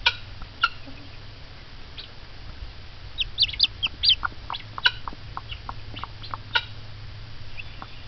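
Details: Mother hen reacting excitedly to peeps from hatching eggs, with a burst of clucks and high chick peeps in the middle, tapering to sparse clucks.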